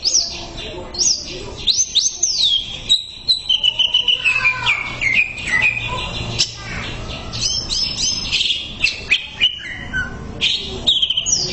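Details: Greater green leafbird song from a tutor recording used to train birds, a rich rapid stream of high whistles, sweeping slurs and chirps, many notes falling steeply, with brief pauses between bursts and a faint low hum.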